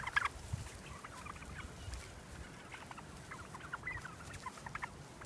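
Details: Heritage turkeys on a walk through pine woods to pasture, following their keepers while a grey hawk visits, give scattered short, throaty clucks and gobbling bursts every second or so over a low outdoor rumble.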